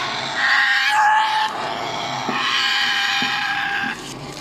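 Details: African grey parrot chicks being lifted out of their nest box give loud harsh rasping cries in long continuous bursts, noisy and broad with a faint swooping squeal near the start.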